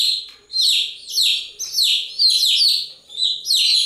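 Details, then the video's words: Continuous high peeping from chicken chicks: loud, shrill descending notes that run together in quick overlapping series. "Continuous Chirping sound of Chicks"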